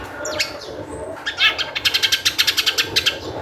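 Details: Long-tailed shrike (cendet) singing energetically, a lure to set other shrikes singing; scratchy notes, then a quick run of about a dozen harsh, even chattering bursts over a constant low hum.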